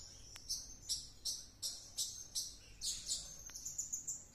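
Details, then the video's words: Blue-crowned hanging parrot singing hard after coming back from luring; piercing high squeaks repeated roughly every third of a second, then a louder double burst and a thin trailing whistle. "Suara serindit gacor kerasukan"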